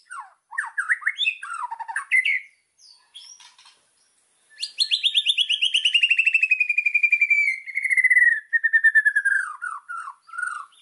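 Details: White-rumped shama in full, lively song used as master song for training birds, packed with fill-in phrases: varied whistled slurs and dropping notes, then a long fast trill of repeated notes sliding slowly downward for about six seconds.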